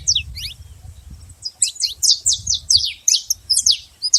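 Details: Free saffron finch in nature: a few scattered high chips, then a dense burst of rapid descending notes, sharp and bright, over a low rumbling background.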